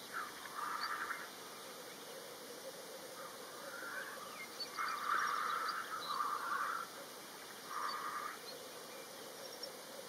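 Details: Black grouse lekking in Kurzeme, Latvia: a soft, continuous low bubbling hum runs underneath, broken by louder hoarse, rushing bursts about a second long near the start, middle and end, with faint higher chirps above.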